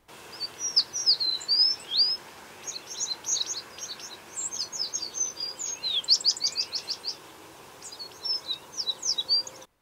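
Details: In winter in eastern North America, an American Tree Sparrow sings bursts of high, sweet whistles and quick slurred notes, repeated every second or two, over a soft background hiss.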